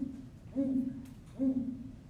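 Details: Great grey owl giving two deep, soft, pulsing hoots less than a second apart, made by filling its throat with air, calling from potential nest sites to attract a mate; faint roomy hum behind.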